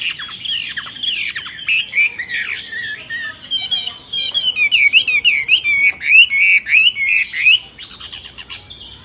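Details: Myna song of harsh squawks and chattering notes that give way to a quick series of whistled V-shaped slurs, roughly three per second, fading out near the end.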